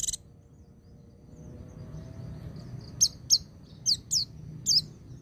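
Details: White-eye ngecir style song joined with ngalas, used to stimulate young birds: after a quiet stretch, five clear high whistled notes, each dropping sharply in pitch, spaced irregularly over a low hum.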